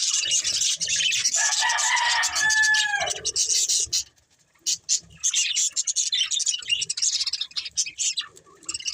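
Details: Budgies chattering in busy, high twittering chirps, joined early on by a few drawn-out tonal notes, with a brief lull near four seconds before the quick chirping picks up again.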